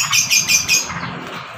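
A sooty-headed bulbul gives a quick run of four bright, chattery notes, about six a second, fading into soft background hiss.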